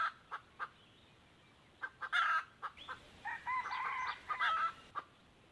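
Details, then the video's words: Crow of a wild junglefowl, two of which came to a decoy hen on 1 April 2024; spaced clucks and a loud burst come before a drawn-out, quavering crow, with further short calls after it. "dib qaib qus tsi kam tuaj qua 2 tug"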